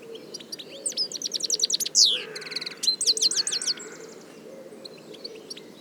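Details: Wild European goldfinch song, known locally in Arabic as golden goldfinch, Turkmen bride and thorn-cracker: rapid tinkling, twittering notes in dense bursts with a bright slurred whistle in the middle, fading to sparse chirps over faint low hum.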